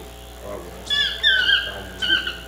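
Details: Chestnut-mandibled toucan uttering one long drawn-out yelp that falls in pitch, followed by a shorter yelp, with low murmuring in the background.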